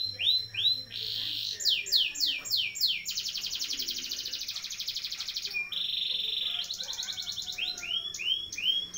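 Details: Canary singing a long rolling tutor song for young birds, mixing rising looped whistles, a long fast pulsed trill of about three seconds, and a buzzy roll.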